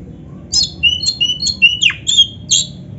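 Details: Oriental magpie-robin practice recording with a short phrase of thin high whistles and sharp chipping notes, spaced out over about two seconds, above faint low hum.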